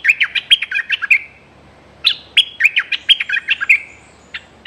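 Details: Decoy bulbul used to lure wild birds, threatening nonstop, 24/06/2023: two loud, rapid runs of harsh chattering chirps, each about a second long, with a brief pause between them.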